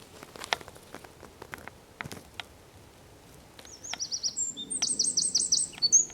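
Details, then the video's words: Eurasian wren in song at Zamudio, San Miguel de Daño, on 4 December 2019; scattered clicks and taps open the recording before a high, rapid, rattling trill of repeated notes bursts in over faint background rumble. "TXEPETXA KANTUAN _2019.12.04_ Troglodytes troglodytes (Chochín común cantando)"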